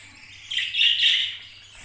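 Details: A male budgerigar in breeding condition, active in its cage, gives a high, scratchy chirping warble lasting about a second, in two quick rising bursts, over a faint low hum.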